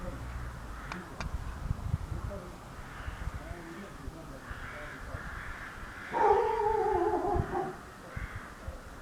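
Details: Crows calling in Mužlja around Christmas 2016: a hoarse, drawn-out caw lasting over a second rises above a low, rumbling background with faint scattered sounds.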